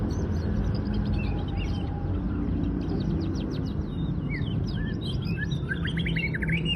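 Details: Song of a local canary: strings of fast, high clicking notes, then rising and falling whistled slurs and chirps toward the end, set against a continuous deep rumble.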